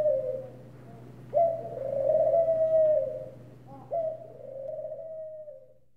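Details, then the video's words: A ring dove gives its distinctive soft cooing call: one brief coo followed by two extended, even, slightly descending notes of roughly two seconds each, over a quiet low background hum. "The Sweet Serenade of Ring Doves"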